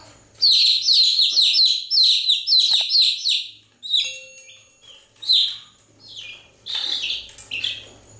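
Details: Chicks chirping continuously in quick high peeps for the first three seconds, then sparser, fainter and more scattered calls with a low background hum.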